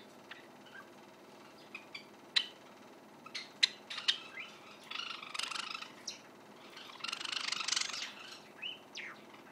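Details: Indoor recording of a juvenile white Java sparrow rehearsing its song: isolated sharp clicks and chirps, then two stretches of broad rustling noise mixed with softer notes.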